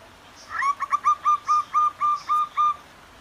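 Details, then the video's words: Zebra doves, female and male answering each other in the morning beside softly flowing clear water, give a run of about ten soft, hollow cooing notes, a couple quick then evenly spaced about four per second, over a quiet background. "Suara air dan perkutut di alam liar. Perkutut bakalan langsung bunyi."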